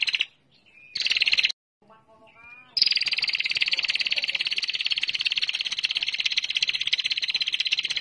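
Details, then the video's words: Female bar-winged prinia lure call, ngetir style: a short buzzy burst and some thin notes, then a long continuous rattling trill of rapid even pulses holding high and steady for over five seconds. "Suara Pikat Prenjak Betina Gacor Ngetir Rangsang Bunyi"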